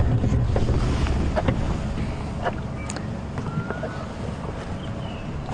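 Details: Heavy wind buffeting and low rumbling, like a moving vehicle outdoors, with no clear animal calls.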